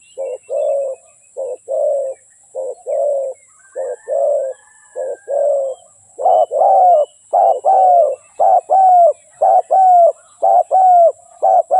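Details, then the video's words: Spotted dove cooing in a steady series of low, hollow notes, a short coo followed by a longer drawn-out coo, roughly one per second. The later pairs grow louder and slur slightly downward. "เสียงนกเขาใหญ่/suara burung tekukur"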